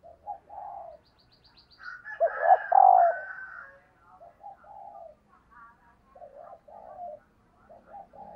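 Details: Repeated low coos from a female dove calling to stimulate males, with a louder burst of overlapping notes in the middle and quieter coos before and after.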